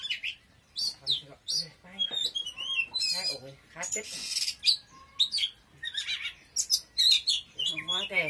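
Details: Oriental magpie-robin singing vigorously, a dense, varied stream of sharp whistles, buzzy trills and rapid down-slurred notes, with scattered rattling elements and few pauses.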